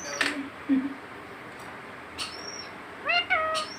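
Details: A talking pet rose-ringed parakeet, which meows like a cat and whistles, gives a few short harsh notes, a thin high whistle, then two quick nasal, cat-like meows near the end.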